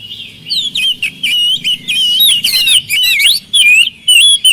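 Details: Kacer (oriental magpie-robin) song meant to provoke lazy birds into singing back: rich fluty whistles, trills and sharp twisting notes in quick phrases about twice per second, with a soft low hum in the background.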